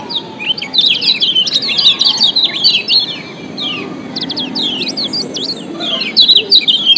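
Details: Yellow white-eye (kecial kuning) from Lombok, a combined lure recording meant to prompt lazy birds to sing. Rapid, high, thin chirps and sharply falling whistled notes tumble over one another almost continuously, over a low steady background hum.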